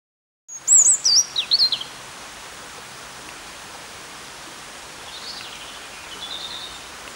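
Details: European robin singing in Peasholm Park, Scarborough: a burst of high, thin, warbling notes swooping up and down for over a second, then quiet park hiss with fainter distant phrases later.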